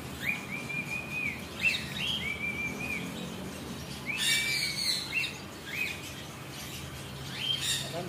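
A lory gives shrill, piercing whistled calls that rise then hold steady, about one each second, mixed with two harsh rasping squawks over a low background murmur.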